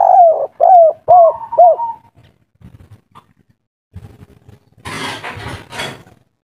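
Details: Spotted dove, a local wild bird of the kuk-3 type, agitated and loud: four quick husky coos, each bending downward, fading into a drawn-out note, followed by quiet shuffling and then a burst of harsh rustling noise.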